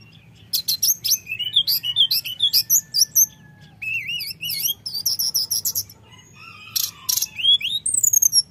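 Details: Common iora song used as a lure to provoke rivals, in a flute-like rolling style: rapid bursts of high chirps and wavering whistled trills, with short pauses between phrases.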